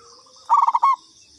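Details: Single phrase from a local Indonesian zebra dove used as a lure: a quick tumbling series of mellow coos finishing with one longer sustained note, over a soft high drone.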